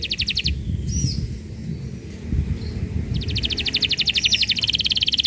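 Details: Lure song of a canary, played to prompt silent canaries to sing: a rapid high rattling trill, a pause with a couple of faint whistled notes, then a long, steady buzzy trill, over noticeable low-pitched background noise.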